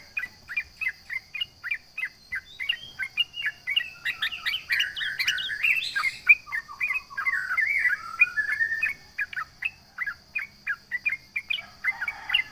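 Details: Sooty-headed bulbul (trucukan) singing vigorously to provoke rivals: a dense run of short chirped and warbled notes, speeding into a tangled bubbling burst midway, then slowing to clipped repeated chirps, over a steady high-pitched whine.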